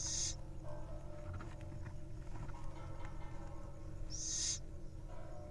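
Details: Little owl nestlings in the wild, preening and touching bills: two brief, high, breathy hisses about four seconds apart over a constant low rumbling background.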